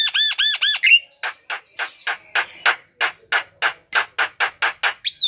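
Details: Javan myna singing, played to prompt other mynas: a few arching whistled notes followed by a long, regular run of harsh, raspy squawks about three per second, ending on a rising whistle.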